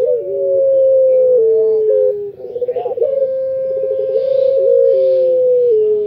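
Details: Loud, clear song of an Indonesian puter pelung, or anggungan. Rich, resonant cooing held for about two seconds, a rapid warbling roll in the middle, then another long sustained hoot falling gently at the finish.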